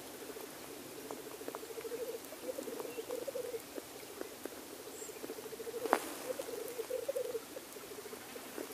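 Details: Male black grouse displaying at a lek: a continuous low bubbling, cooing roll in long rippling phrases, with a sharp snap near six seconds and faint higher notes over it.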